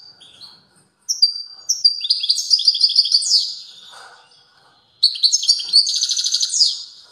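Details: European goldfinch singing strongly in two long phrases of rapid, high tinkling notes mixed with nasal buzzy trills, the second phrase ending in a dense rattling buzz.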